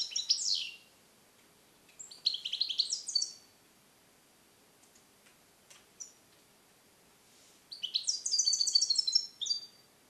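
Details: A captive-born, song-trained male European goldfinch hatched in 2021, recorded alone in a small carrier, sings three bursts of bright, tinkling twitters and liquid trills, high and fast, separated by short pauses and a few soft clicks.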